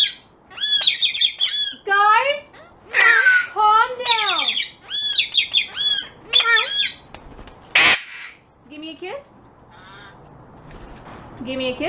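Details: Pet parrot vocalizing indoors in a series of loud, harsh squawks with stacked harmonics, some sweeping down in pitch, repeated in bursts about every second or two. A short noisy burst follows, then quieter scattered calls.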